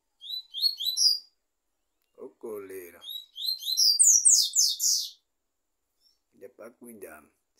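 A Double-collared seedeater sings bright, rapid bursts of high, slurred twittering notes in two phrases. A person speaks quietly between and after them.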